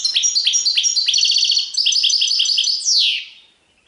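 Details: European goldfinch in sarfati tiwawati song: an unbroken run of rapid liquid twitters and high chips for three seconds, finishing with a long descending slurred note.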